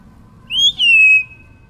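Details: A pet common hill myna (sex unknown), living below an office in Bangladesh, gives one clear, high whistled utterance in two parts: a quick rise, a brief break, then a long, slowly falling note, over a low hum.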